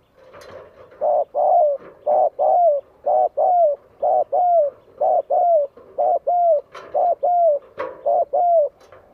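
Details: Spotted dove singing to stir up rival birds: a long, fast series of low paired coos, about one pair per second, each second note longer and dipping, with faint clicks and knocks in the background.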